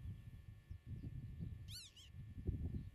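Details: Common redshank at its nest in farmland meadow, filmed from 8 metres: two quick arched, down-slurred whistled notes in close succession, over steady low wind rumble.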